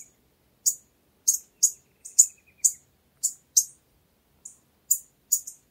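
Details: Pileated finch (tico-tico-rei-cinza) singing a sparse series of short, very high, sharp chip notes, given singly or in quick pairs at irregular intervals of about half a second, with no other clear sounds.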